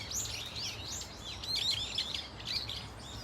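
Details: Brief burst from a Brown-eared Bulbul flock at Dunsan Grand Park, tightly packed high, shrill chirps and squeals tumbling together without pause.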